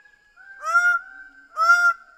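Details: Two loud, ringing, arched honks from a Greater bird-of-paradise, about a second apart, each slightly drawn out.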